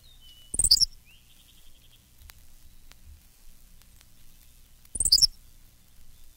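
Henslow's Sparrow gives two very short, high, hiccuping 'tsi-lick' songs about four seconds apart, with a faint thin trill from another bird early on.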